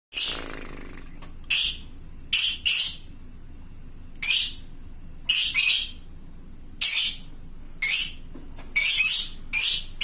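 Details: Lovebird of the fighter type calling to other lovebirds, used to lure replies from lovebirds at home: harsh, high shrieking squawks in short bursts roughly every second, with quiet gaps between.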